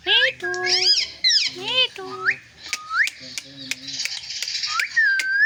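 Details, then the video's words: Pet parakeet (mitthu) talking, repeating devotional phrases like "sita-ram" and "jay shree ram", in a squeaky voice with rising whistled glides and sharp clicks, in a small room. "Parrot talking sita-ram🚩parrot talking jay shree ram"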